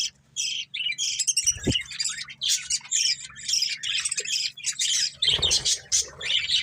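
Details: Breeding pair of budgerigars chattering almost continuously, dense high scratchy warbling and squawky chirps with brief pauses, one soft thump near the middle and a low steady hum in the background.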